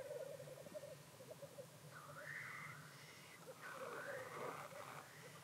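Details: Black grouse displaying at their traditional lek near Llandegla Forest and World's End, North Wales, on 25 February 2019. Two loud, rasping, rising hissed sneezes stand out over softer bubbling cooing and a low background rumble.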